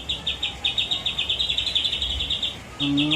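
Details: White-rumped shama singing a mix of cililin, jenggot and kapas tembak phrases: a quick, steady series of short high chips repeated several times per second, ending as a man starts talking.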